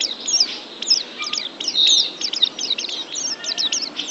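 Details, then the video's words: Oriental white-eye singing for a pet-bird training recording: thin, high, rapid twittering notes, softer and partly blurred by steady background hiss. "TERAPI MENTAL PLECI ♫ DIJAMIN PLECI ANDA JADI JUARA ♫ Kicau Burung Terbaru"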